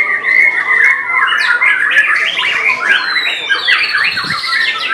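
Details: Contest white-rumped shama, main class, Semarang, Central Java, 3 July 2022: loud continuous song of clipped whistles, warbles and harsh squawky notes layered with neighbouring competitors.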